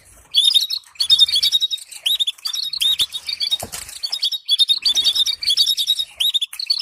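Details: Canary song meant for training canaries to sing, with stimulating trills: dense, high twittering phrases in bursts of about half a second to a second, with brief pauses between them and a short buzzy rush near the middle.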